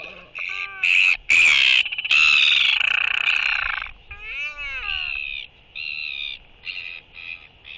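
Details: Royal albatross skycalls during a courtship interaction between two birds, 11.6.23: loud, harsh braying bursts, then a string of shorter nasal, arched harmonic calls that grow quieter and are spaced about half a second apart.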